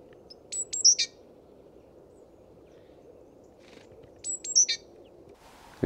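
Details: Great Tit calls, recorded with a homemade parabolic microphone: two short bursts of high, thin notes ending in a buzzy chatter, repeated about three seconds apart, over a low steady hum.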